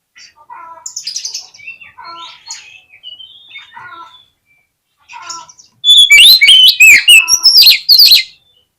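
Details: Oriental magpie-robin singing as a lure to provoke fighting: quiet, varied whistled phrases with short pauses, a brief silence, then a loud, strident volley of rapid, rasping and whistled notes near the end.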